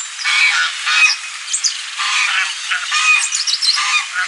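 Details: Goose calling with harsh, nasal honks in loud bursts about every half second, while thin, high whistled chirps of small birds flicker above.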